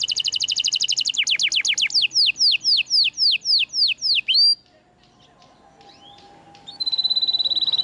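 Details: Vigorous canary song from a masteran recording for canaries that stopped singing: a fast doubled trill slows into a series of downward-swooping whistles, a quiet pause with faint slides, then a thin high rapid trill.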